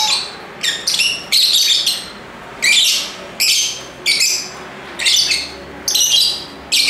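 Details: Lively lovebird chatter: harsh, high shrieking bursts about half a second long, stacked and buzzy, coming in irregular clusters with short quiet gaps between them.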